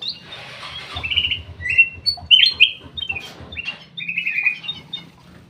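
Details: Black-crested bulbul in an aviary sings scattered whistled and slurred phrases over a low, soft thumping patter and light rustling.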